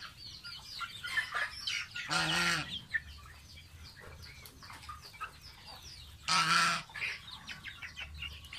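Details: Baby pet domestic goose taking a bath: two loud, harsh, buzzy honks about four seconds apart, with faint soft peeping between them over a steady low hum.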